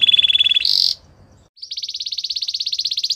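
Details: Canary singing for training: a steady, piercing whistle followed by a short harsh burst, a pause, then a long, fast, evenly pulsed trill.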